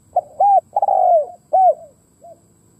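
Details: Decoy spotted dove cooing to attract wild doves: a brief opening note, a rounded coo, a long sliding coo and a final arched coo, all low and mellow, ending with a faint short note; steady faint high-pitched hum in the background.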